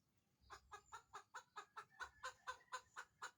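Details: Egg-laying chicken giving a regular series of clipped, nasal clucks roughly every quarter second, getting slightly louder toward the end, after a brief quiet start.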